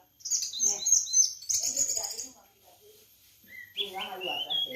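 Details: Orange-headed thrush singing: rapid high, sweet warbled phrases and slurred whistles in a fast tumbling run, a short pause, then another varied phrase with lower notes beneath.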